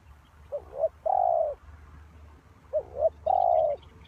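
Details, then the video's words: Spotted dove serving as a decoy for trapping, two low coo phrases about two seconds apart, each a brief double note followed by a sustained soft croon. "Suara Tekukur Pikat"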